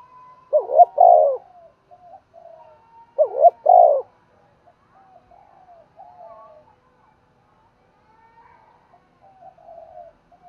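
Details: Spotted dove used as a decoy, cooing to call in wild doves. Two loud, throaty coo phrases about three seconds apart, each a short double note then a longer purring one, with quiet murmuring coos between.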